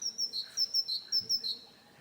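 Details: Great tit (Parus major) singing, a sedentary woodland bird of Europe and Asia: high two-note phrases, a sharp upper note dropping to a lower one, repeated quickly about four times before fading.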